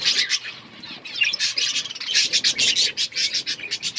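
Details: Budgerigars chattering in an outdoor colony: rapid, rasping chirps repeated in pulses, several birds calling together in a busy high-pitched jumble.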